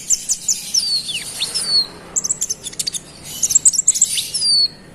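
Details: Olive-backed sunbird singing insistently to rile other birds: long thin whistles sweeping downward, a rapid run of sharp ticking notes, then a high buzzy twitter and another descending whistle.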